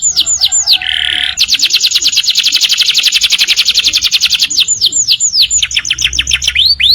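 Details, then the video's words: Canaries singing in the morning: loud, fast song of repeated high swooping notes, a long rapid trill of evenly spaced notes, then more looping whistled phrases, bright and continuous. "Canaries Singing beautifully in the Morning"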